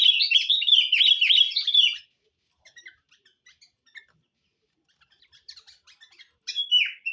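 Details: Sooty-headed bulbul singing a lure song: two seconds of loud, rapid warbled chatter, then near silence with faint scattered chips, before another loud burst at the end.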